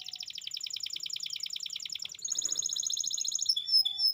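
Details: Canary giving a lure song meant to prompt stalled, young or lazy canaries to sing: a rapid, even trill of bright pulses for two seconds, then a higher, slightly buzzier trill, ending in short whistled slurs.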